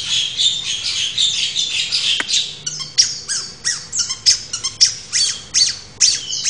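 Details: Long-tailed shrike song: a high, scratchy chatter at first, then a steady series of sharp, squeaky downslurred chirps repeated several times a second.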